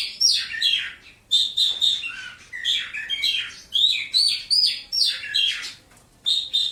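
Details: Caged lark in a one-metre-high cage sings a continuous, varied run of sweet whistled notes, chirps and rapid twitters, shifting in pitch from phrase to phrase with few pauses.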